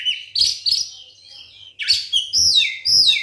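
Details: White-rumped shama singing to provoke other shamas into song: sharp whistled phrases with downward slurs, a quieter pause, then louder rising-and-falling whistles and buzzy notes, with a faint low hum in the background.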